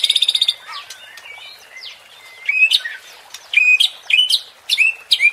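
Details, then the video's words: Murai batu, the white-rumped shama, in a pancingan song meant to provoke contest birds: an opening buzzy rattle, soft twittering, then strong rising whistles with sharp upward flourishes in quick phrases. "MURAI BATU JADI TERPANCING EMOSI DENGAN SUARA PANCINGAN INI"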